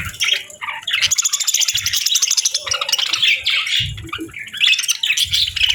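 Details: Feeding parakeets on a winter morning give lively chatter. Fast, rattling trills and high squeaky chirps repeat in dense runs, with occasional low knocks in the background.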